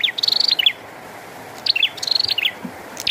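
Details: Prinia singing eagerly with rain: rapid high chattering trill followed by a few sharp twisting notes, the phrase given twice over a steady background hiss.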